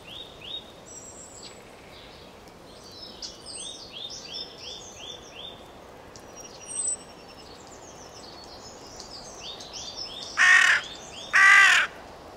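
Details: Carrion crow heard near the end as two loud, hoarse caws about a second apart, after a long stretch of soft, high chirping from small birds over a steady outdoor hiss.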